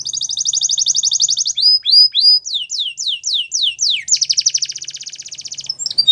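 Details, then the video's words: Belgian canary in song: a rapid rolling trill, then a run of downward-slurred whistles, followed by another long fast trill; clean and loud. "Nature Birds Sound Of Canary | Belgian Canary Singing"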